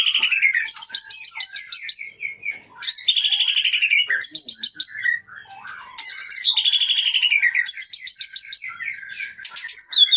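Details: Caged white-rumped shama, known locally as murai batu, originally wild-caught in 2010–2011 at Pining in the Leuser mountain area of Aceh. Its loud, rich song of long whistled phrases is broken by rapid stuttering trills and short pauses.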